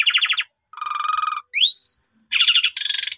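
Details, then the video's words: Asian pied starling lure song intended to raise a caged bird's spirit so it sings out: coarse buzzy rattles, a lower nasal churr, a smoothly rising whistle, then two loud harsh chattering bursts. "Pancingan Jalak suren Efektif Untuk Menaikan Mental Jalak Suren Agar Bongkar Isian"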